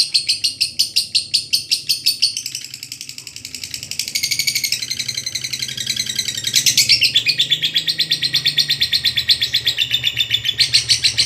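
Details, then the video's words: Lovebird in long 'ngekek panjang' chatter, used to train other birds: a fast series of high, rattling notes that softens briefly in the middle and then returns strongly, over a steady low hum. "masteran burung Lovebird ngekek panjang"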